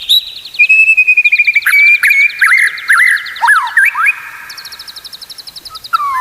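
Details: White-rumped shama training song for teaching other shamas: a fast run of repeated chipping notes, then looping whistled slurs and trills, ending with a rapid high rattle and a falling whistle.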